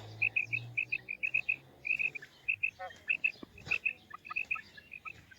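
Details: Female quail voice: a lively string of sharp, high chirps in doubled and tripled groups, repeated steadily, with a low hum and a brief rattle midway.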